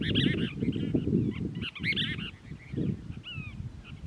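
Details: Cassin's Kingbird in a family group at Crystal Cove State Park, California, recorded 19 December 2021; a dense, rapid chatter of harsh slurred notes, then a lone clear downslurred note near the end, over blustery low noise.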